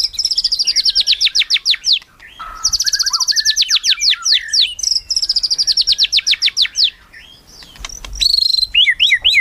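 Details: A melodious white-rumped shama delivers rapid high rattling runs of down-slurred notes, repeated in bursts of about two seconds, broken by brief lower whistles and ending in sharp rising chirps.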